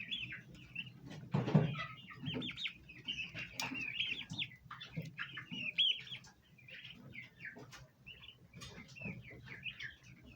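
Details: Several domestic bronze turkey poults around a basin of ornamental plants utter a steady run of high chirps, some rising or bent, alongside louder low thuds, flapping and scuffling noises.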